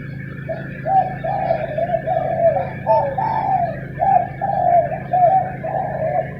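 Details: In the morning, arguing spotted doves trade mellow cooing phrases of several connected notes with short pauses, set against a persistent low hum.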